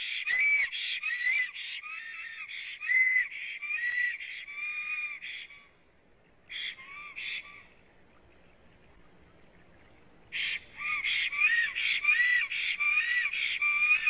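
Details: Wild black stork at a Latvian nest, 9 April 2017 in early afternoon, female reportedly nearby, on a live nest camera: bursts of wheezy, whistled, rhythmic notes, a quiet gap of several seconds, then the hoarse series resumes.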